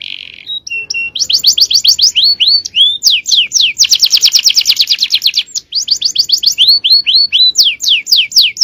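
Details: Male canary in full-power 'cengkok jawara' champion song: a short nasal note, then rapid rattling trills and chains of quick, high, downward-slurred whistles, delivered loudly and almost without pause.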